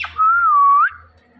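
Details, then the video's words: Indian ringneck parakeet, a pet talking parrot, gives one clear whistled note that glides level, dips slightly, then rises at the end, with quiet low background hum. "The Best Talking Ringneck Talking Parrot"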